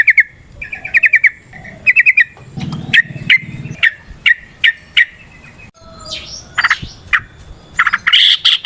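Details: Indonesian yellow-vented bulbul singing in a long, busy 'gacor' style meant to stimulate other birds: quick bursts of bubbly repeated chirps, then scattered sharp notes and a rougher chattering run at the end.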